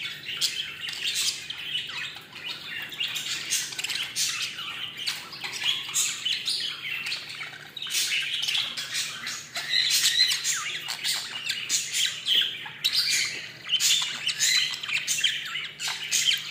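Budgerigars chatter in a continuous high warble of chirps, squawks and rapid scratchy notes.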